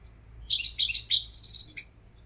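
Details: European goldfinch singing a rapid run of jingling chirps that merges into a sustained buzzy trill before ending with a lower note.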